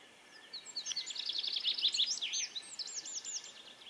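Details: Three-toed woodpeckers, two pairs quarrelling in a territorial boundary dispute on a hill near northern Evensetermyra, Lillomarka, Oslo, Norway; rapid, high, sharp chattering notes tumble in a dense irregular series for about three seconds over faint background hiss.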